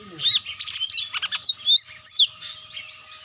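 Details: Lure sound of the cucak mini meant to draw birds down: a rapid jumble of high chirps, then clear rising and falling whistled slurs, fading into a faint hiss.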